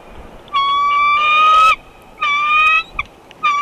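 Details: At the Big Bear bald eagle nest on February 24, 2021, as an immature bald eagle intruder buzzes the nest, drawn-out, slightly rising squealing whistles sound, the longest turning harsh, then two shorter notes; quiet background.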